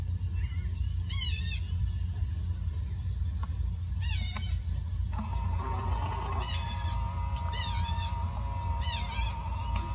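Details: Collared plover (Charadrius collaris) in the Amazon, relaxed, giving high, thin, sharp notes in short clusters every second or two, over a heavy low rumble of wind and a steady mechanical hum.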